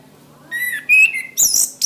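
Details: Orange-headed thrush, a caged bird, song for training caged birds: clear level whistles stepping between pitches, then a burst of harsh very high scratchy notes, a low hum in the background.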